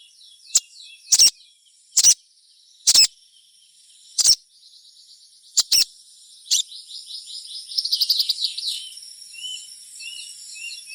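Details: Crimson sunbird song used as a lure to get other sunbirds singing: sharp, evenly spaced high chips about once a second, then a fast, rattling trill of rapid thin notes fading out.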